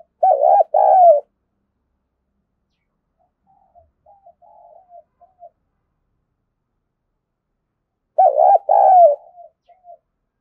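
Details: Spotted dove giving a luring call meant to provoke wild doves: a low, hollow cooing phrase of quick notes and a long, drawn-out coo, repeated after a long pause, with faint soft coos between.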